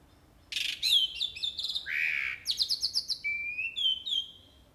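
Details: Jalak uret starling in full, lively song: a burst of dense high chatter, then varied whistled notes, a lower buzzy swoop, rapid repeated chirps and sliding whistles, delivered continuously over several seconds.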